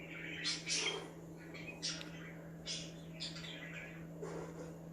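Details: Budgerigars chirping to get other budgies active, sharp high squeaks and short warbled chirps in irregular spurts, several bright peaks, against a steady indoor hum.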